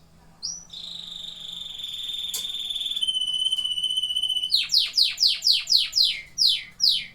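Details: Singing canaries: a sustained pure whistle held for several seconds, stepping lower midway, followed by a run of loud downward-sweeping notes repeated about twice a second.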